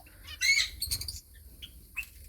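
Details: Captive finches, with a tiny chick being fed by its parents, give a burst of high, buzzy chirps, then a few brief, thin tweets after a pause, with a faint low hum underneath.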